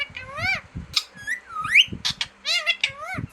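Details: Talking green parrot producing varied, speech-like tonal sounds: bending whistled syllables, a sharp rising slur and short breathy bursts in quick uneven succession, with soft knocking noises below.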